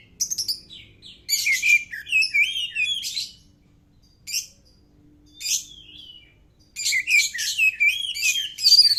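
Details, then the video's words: Oriental magpie-robin song, used to prompt other birds to answer: short bursts of high, rapid, varied whistles and chirps separated by pauses, with a dense run at the end. "burung kacer cocok buat sautan burung anda"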